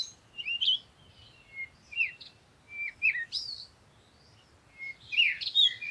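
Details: Scattered morning chirps at sunrise: separate high tweets and quick upward whistles, spaced irregularly, then a dense twittering burst at the end, heard over a steady hiss of background noise.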